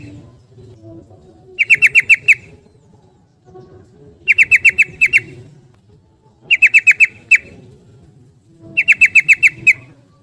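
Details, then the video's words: Yellow-vented bulbul giving ropel-style song in four regular bursts of five or six clear, metallic repeated notes, roughly every two and a half seconds, with a soft low murmur underneath. "Trucukan Gacor bikin Gelisah Geram Semua Trucuk jadi Ropel Gacor"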